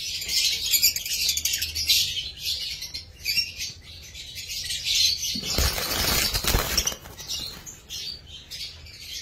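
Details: Pet lovebirds chattering in a dense stream of high chirps and twitters, with a burst of broadband rustling or handling noise near the middle of the clip.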